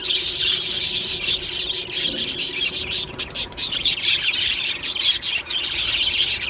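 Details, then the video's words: Colony of budgies heard in the morning, chirping and singing happily: rapid clicking chirps over a high, continuous warble of many birds, steady throughout. "Beautiful Budgie morning happy singing and chirping sounds | Happy Budgie sounds"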